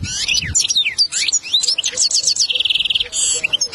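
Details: Goldfinch lesson song recorded to train a young goldfinch, packed with rapid sweeping high chirps and twitters, ending in an even run of fast repeated buzzy notes.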